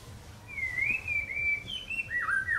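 White-rumped shama singing a long, wavering whistle that slides gently up and down, then quicker fluty phrases jumping higher and lower, over a faint low hum.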